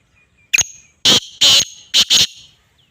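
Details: Black francolin, known locally as kala tetar or Sindhi tetar: a short thin whistle-click followed by three loud, harsh, grating syllables, the last two close together. The whole phrase lasts about two seconds against silence.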